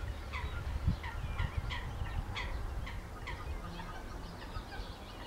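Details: Four newly hatched, hungry white stork chicks in the Lippe floodplain give quick, squeaky falling calls, roughly two a second in an uneven series, over a steady low rumble of wind.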